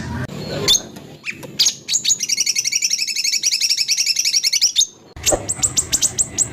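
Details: Songbird-training compilation of White-rumped shama harsh phrases. Scattered sharp chips lead into a long, fast, even trill of doubled notes lasting nearly three seconds, then a cut to a quick series of high ticks.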